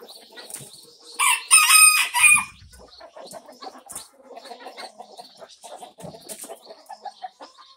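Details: Barn chickens, a mixed flock of many breeds with hens and a rooster, recorded in May: a short loud burst of squawking near the start, then soft repeated clucks and chatter from several birds.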